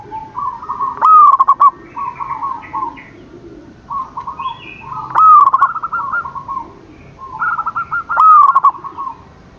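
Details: Morning calling of a zebra dove (perkutut): mellow, mid-pitched cooing phrases that begin with a swelling note and dissolve into quick, stuttering trills. The phrases overlap and recur roughly every three to four seconds over a faint background hum.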